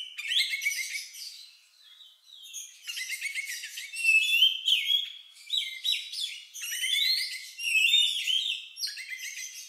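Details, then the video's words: Oriental magpie-robin delivering its strange, lovebird-like song used to provoke other birds into singing: a steady stream of quick chattering trills, sharp chirps and sliding whistles, swelling and fading in waves. "Suara Burung Lagu Unik Kacer Ini Cocok Untuk Pancingan"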